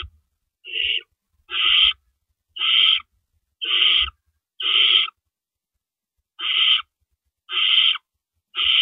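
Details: Nest of owls in the early hours of April 4, 2012, as parents deliver rabbits; a run of rasping, hissy screeches, each under half a second, comes roughly every second with one longer pause midway.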